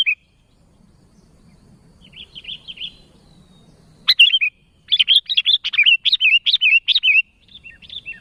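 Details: Sooty-headed bulbul calling out to companions: a soft distant chatter first, then a loud burst of rapid bubbly notes running for about three seconds, faint low hum beneath.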